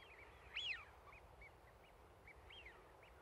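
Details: Duck on a lake in fine weather, calling contentedly with a clear whistled, arching piyu-piyu note followed by softer short whistled notes repeated at intervals, over quiet background.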